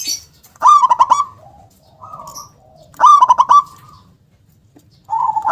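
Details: Local zebra dove, praised for a big, punchy voice with a 'kung' accent. Two loud stuttering coo phrases, each three or four quick pulses, are separated by softer low coos. A third phrase starts at the end.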